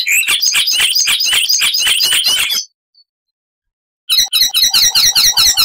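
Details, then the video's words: Loud, varied song of an Icterine warbler, known for mimicry: rapid harsh chattering notes repeated more than twice a second, a silent gap of over a second, then a fresh burst of squeaky notes. "Icterine Warbler (Hippolais icterina)"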